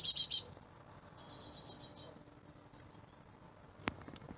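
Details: Fledgling great tit chicks in a garden give a short burst of high, rapid, buzzy chips, followed by a softer, similar run of repeated notes. A single click sounds later.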